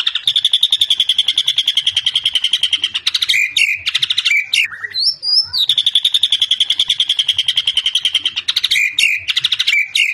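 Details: White-rumped shama (murai batu) singing in its varied fighter style: long trains of fast, harsh, rattling notes, about three or four a second, broken by a single rising whistle midway before the rapid rattling resumes.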